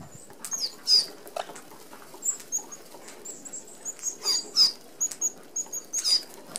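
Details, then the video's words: Red-browed finches, an Australian native, feeding as a flock at an open aviary feeder: thin, very high piping notes scattered irregularly, with soft fluttering and pattering of wings and feet between them. "Red Browed Finches"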